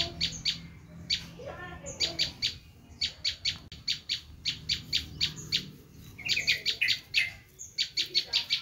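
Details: Long bout of the Bar-winged prinia's screaming call, used to lure wild prinias: paired and grouped harsh chips in rapid succession, a brief high whistle, and near the end a short wavering trill mixed in.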